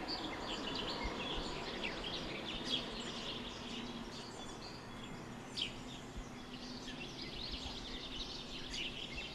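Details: House sparrows, including a male, chirp in a busy, overlapping chorus in a garden, with short bright cheeps several times a second over a steady background hum.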